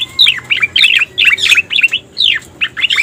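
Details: Striated grassbird (cica koreng) lure sound used to attract wild birds: quick bursts of sharp, downslurred chirps and twittering notes, densely packed and separated by short pauses, over a quiet background.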